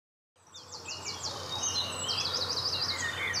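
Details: Mallard duckling at the Saarn-Mendener Ruhraue floodplain, Mülheim an der Ruhr, 9 June 2016 at 09:00, filmed on a Panasonic Lumix GH5: thin high peeps in rapid runs of repeated notes over a steady low hum.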